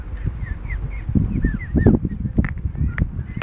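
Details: Geese crossing a York car park with young call in a series of short bent honks, about two per second, over a rumbling background with knocks and clatter.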